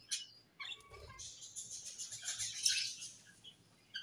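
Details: Budgerigars described as happy in their new colony. A couple of sharp chirps open, then a continuous bright, scratchy warble runs for about two seconds before fading into scattered chirps.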